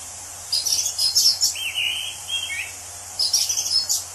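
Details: Orange-headed thrush in its natural habitat: high twittering notes, then a drawn-out wavering whistle sliding down, followed by more high rapid twitters.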